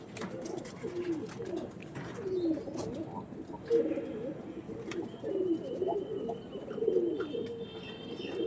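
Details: Pigeons kept for sale give low, soft cooing notes that overlap in a steady murmur.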